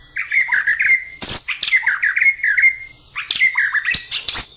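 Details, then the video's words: Murai batu, a cared-for captive white-rumped shama, in energetic fighting-style song: rolling whistled phrases with short trills and upward-swept notes, broken by sharp clicking knocks and a brief pause before the next loud phrase. "Murai Batu, gaya tarung suara pedes ngotot dan enerjik"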